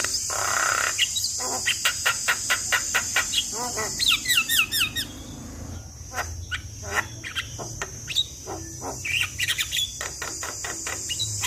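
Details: Javan myna singing a full filler-rich song used as a lure for silent mynas: dense trains of clicks, a run of looping whistled notes, then scattered chirps over a persistent high-pitched drone.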